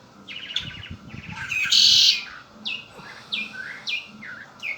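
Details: Song of a kept red-winged blackbird: a stammering series of fast notes building into a strong raspy buzzing trill, followed by a string of repeated upswept chirps.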